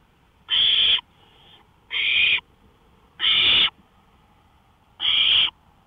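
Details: Owl on a porch in the early morning dark, 1:53 AM, May 5, 2013, producing four strong breathy screech-hisses about 1.4 seconds apart, with a faint softer hiss after the first.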